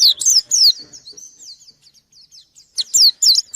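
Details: Short white-eye phrases while challenging a rival: two loud sweeping whistles, a quiet stretch of faint twitters, then another pair of bright descending notes.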